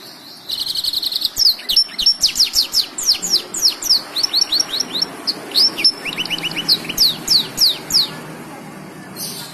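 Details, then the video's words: ['Black-throated canary singing energetically as a master recording for teaching canaries, blackthroats and yellow-fronted canaries: a long, fast string of high whistled sweeps, buzzy trills and repeated down-slurred notes, several per second, clear and loud.'] "Burung blacken Gacor untuk Masteran burung kenari,blacktrhoat & Mozabik."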